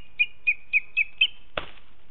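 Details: Booted eagle fledgling at the nest in the Ports, July 2019, flying from branch to branch and asking the female for food; five high whistled notes repeated about every quarter second, followed by a dull thump.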